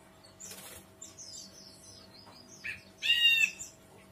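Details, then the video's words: Ashy bulbul singing a brief, strong, slightly wavering note lasting about half a second, preceded by a soft burst and scattered high, thin twittering. "Kicau Burung Brinji Kelabu"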